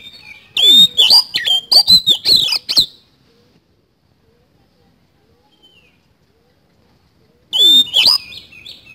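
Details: Lively Oriental magpie-robin song, isian kasan style: a two-second rush of clear whistles and quick up-and-down slurs, a long silence, then another burst beginning.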